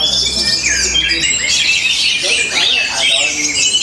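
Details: Orange-headed thrush in Tabanan, Bali, giving a forceful, rhythmic song of fast rising and falling whistled slurs and chattering notes, tightly packed without pauses.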